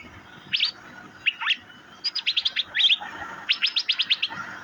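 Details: Asian fairy-bluebird: scattered pairs of high chirps, then a steady series of about a dozen short sharp upward notes in quick rhythm, fairly evenly paced.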